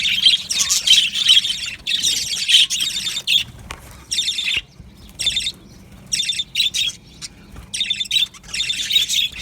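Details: Australian budgies in an aviary giving bursts of rapid warbling chirps, separated by short quiet gaps, the chatter returning in clustered bouts every second or so.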